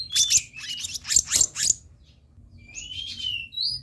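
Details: Black-naped monarch on a lure recording. About six rapid, harsh, rasping notes are followed by a quieter stretch of thin whistled slides, with low hum underneath.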